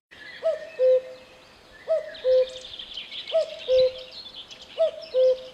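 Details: Repeated two-note cuckoo call, a short higher note dropping to a longer lower one, four times at even spacing over a background of chattering songbirds.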